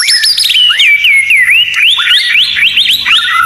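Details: Murai batu masteran song with full 'tembakan' fill: loud, fast sequence of looping whistled notes, rising and falling about four times a second, with a faint low hum beneath.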